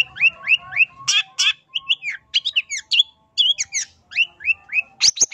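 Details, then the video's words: Long-tailed shrike singing a lure song to provoke other shrikes: varied whistled and slurred phrases mixed with harsh scratchy bursts, delivered quickly in a continuous medley. "Cendet LAIN gak bisa DIAM dengar SUARA Pancingan Pentet GACOR yang satu ini"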